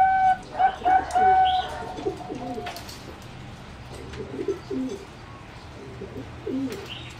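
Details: Competition-bred singing zebra dove in an aviary on 30 April 2014: a clear cooing phrase of drawn-out and stuttered notes in the first two seconds, then only faint coos under background hiss.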